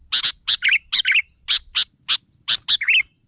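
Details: Sooty-headed bulbul singing vigorously: sharp, broadband chip notes, often in pairs, mixed with short warbled phrases, about ten bursts in three seconds, with a faint steady high hiss behind.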